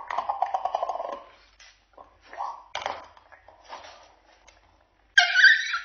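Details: Pet cockatoo showing who is boss: broken, throaty vocal bursts with rapid pulsing, short pauses, then a sudden loud harsh screech at the end.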